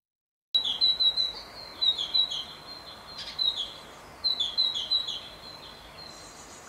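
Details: Great tit fledglings leaving the nest in Ostwald, France, on 14 May 2021: bursts of thin, high chirps in quick clusters, several short notes per burst, with pauses between groups and a faint steady background hiss.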